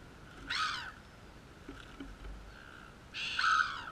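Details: Seagulls at Mollymook: two harsh, nasal squawking calls about three seconds apart, each falling slightly at the end, over a low steady background hum.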